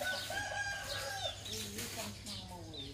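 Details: Roosters in the morning, several harmonic crows overlapping, bending down at their ends, one after another across three seconds, amid high twittering of small birds and a low background hum.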